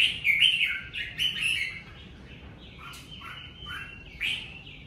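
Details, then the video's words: Red-whiskered bulbul singing 'ché' song naturally at home during covid season: loud rich warbled phrases opening the recording, followed by softer looping whistles and a closing bright note. "Mào ché tự nhiên tại nhà mùa covi"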